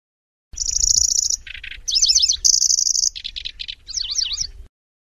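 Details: Lanceolated warbler singing a sparse, insect-like chatter with rolls and sharp shots: shrill high reels, lower dry rattles and wavering twittered phrases follow one another for about four seconds, in a clean, noise-free recording.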